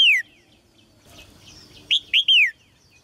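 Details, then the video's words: Caged red-whiskered bulbul song meant to prompt males to sing hard: one falling whistled note at the start, then after a faint murmur a phrase of three loud, liquid notes that slide downward. "นกหัวจุก birds - เสียงนกร้องในกรง กระตุ้นนกตัวผู้ให้ร้องอย่างแรง"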